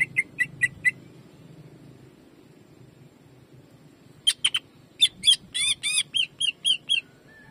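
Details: Greater green leafbird in jamtrok style, a training recording: four quick whistled notes, a long pause, then an excited burst of scratchy, ringing shots settling into evenly repeated whistles.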